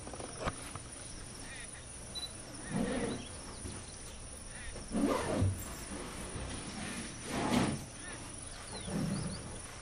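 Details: Displaying Great Indian bustard in the Nannaj grasslands: deep, breathy booming bursts repeated roughly every two to two and a half seconds, four or five in all, with open-country background noise.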